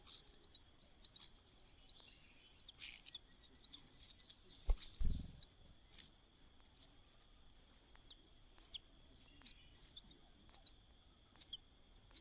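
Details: Common cuckoo chick in a host nest, begging for food: short, high, hissing chirp bursts come in irregular runs, with one low thump midway and a steady faint electronic whine underneath.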